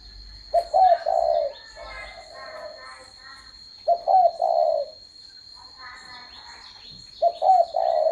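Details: Spotted dove cooing: three low, hoarse coo phrases, each a short note, a rising-falling hoot and a longer drawn coo, about every three seconds, with a steady high electronic whine and faint voices between.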